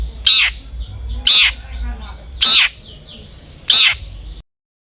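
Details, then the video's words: Long-tailed shrike in a lure recording to encourage singing: four loud, grating rasps spaced about one second apart, with faint softer notes between them. "PANCINGAN CENDET AGAR RAJIN BUNYI"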